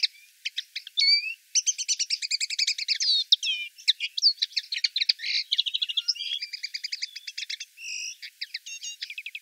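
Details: Common linnet seen in the town of Wittlich, recorded in 2018, singing a fast, varied twittering song of rapid chirps, short trills and a few clear whistled notes, almost continuous with only brief pauses, in a quiet setting.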